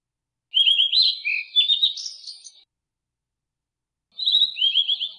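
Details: Song of a blue-and-white flycatcher, two phrases: quick repeated rolling whistled notes, slurred downward, followed by a lower twittering run, with a silent gap of over a second between phrases.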